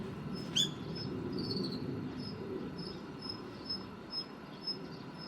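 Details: Female Daurian redstart, resting on a parked car's wiper on 3 November 2019, reacting to a male's calling before leaving; one sharp high note, then faint thin high calls repeated about every half second over low hum.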